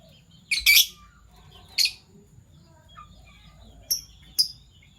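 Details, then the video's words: Fischer's lovebirds, PB Violet and Euwing Gold Opaline, chirping in the morning: a loud harsh double squawk, another rasping chirp, then two thin high clear chirps, over a quiet background. "Lovebird Chirping Sounds - PB Violet Fischer & Euwing Gold Opaline Fischer"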